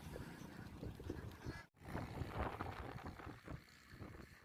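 A flock of ducks keeps up a busy overlapping chorus of nasal quacks, about two a second, over low rumbling background noise with a brief cut near the middle.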